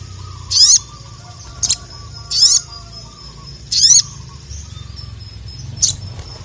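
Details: Ruby-cheeked sunbird (sogon, sogok ontong) in full song, calling a rival and stirring it to respond. Five sharp, very high buzzy bursts come at uneven intervals over a steady, pulsing mid-pitched tone and a low background hum.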